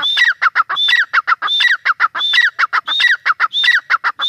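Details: Teetar, the grey francolin, giving a loud, continuous run of repeated phrases: a high clear whistle, then falling harsh notes and short clucks, cycling steadily about once every 0.7 seconds.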